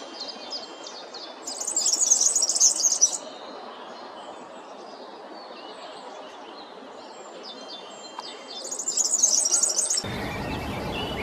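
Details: European serin song: two bursts of very high, fast, jingling, buzzy trills, with a steady broad hiss of background noise throughout.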